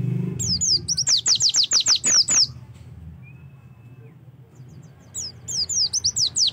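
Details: Oriental white-eye song used as a lure and tutor recording to get kept white-eyes singing: a fast run of high, sharply downslurred whistled notes, then a quiet pause, then another burst of similar notes. Low rumbling noise at the start.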